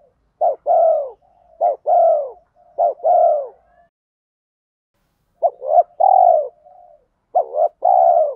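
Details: Spotted dove lure call for training, meant to make wild males coo back: repeated phrases of short rising notes ending in a long droning coo, four phrases with a pause midway, clean and uninterrupted.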